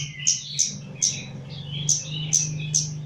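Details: Chestnut-capped laughingthrush from Java, a caged bird being trained, gives gacor song: six sharp high chips each followed by a falling slurred whistle, in uneven rhythm, with a steady low hum beneath.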